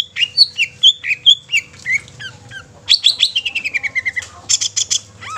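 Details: Long-tailed shrike song intended to provoke other shrikes to sing and get emotional: clear whistled notes, then a rapid descending run of repeated short notes, ending in scratchy chatter.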